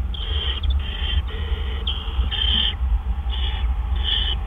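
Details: Owl during a nighttime food delivery by a male on 12 April 2013. Rapid, overlapping raspy hisses run almost continuously, with stronger bursts near the end, all over a low steady hum.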